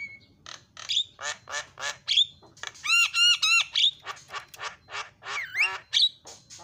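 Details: Starling song used as a lure to get silent starlings chattering: harsh nasal squawks repeated about three per second, a run of stacked buzzy notes midway, and sharp whistled upslurs near the end.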